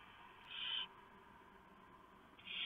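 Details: Barn owls at the nest before dawn, 3:59 AM on 3 November 2015, as the male delivers a huge mouse and the female shreds it for the owlets; two harsh, hissing screech bursts, about half a second apart from a steady background hum.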